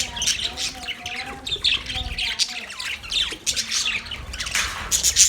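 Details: A flock of Australian budgerigars chattering: overlapping squawks and chirps in rapid bursts, some lower wavering warbles, continuing throughout.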